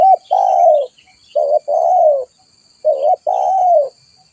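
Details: Spotted dove in full voice, used as a trapping lure: three clear, mellow cooing phrases, each a short upturned note followed by a longer falling coo, spaced about every one and a half seconds against a quiet background.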